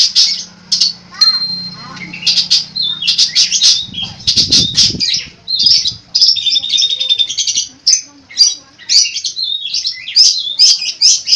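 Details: Long-tailed shrike (cendet) in full song with mimicked phrases, a run of sharp chips, a thin steady whistle and scratchy notes, broken midway by a brief low rustle or knock.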